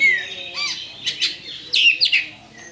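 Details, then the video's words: Brief fragment of a champion Oriental magpie-robin's fight-provoking lure song: a downslurred whistle, then sharp buzzy notes and a few quick chirps. "PANCINGAN KACER JUARA"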